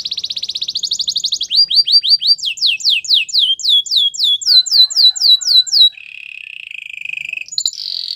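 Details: Canary song beginning with fast buzzy trills, moving into loud looping whistled notes about four per second, then a lower soft rolling trill and a short high flourish.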